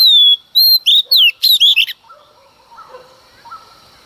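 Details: Female Oriental magpie-robin's early-morning song meant to provoke males, opening with a pure downslurred whistle, then rapid rich twittering notes in quick succession before fading to faint distant chirps.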